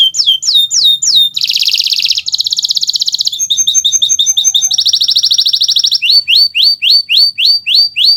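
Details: Kenari Nusantara canary in full song, used as a tutor recording for teaching other birds to sing: rapid high trills, buzzy rolls and rising repeated whistled notes, changing phrase type every second or so, no other sounds.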